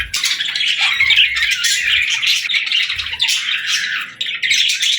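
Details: Dense, harsh squawking and high chirps from playing parakeets, a continuous chattering wall of sound with one small dip near the fourth second.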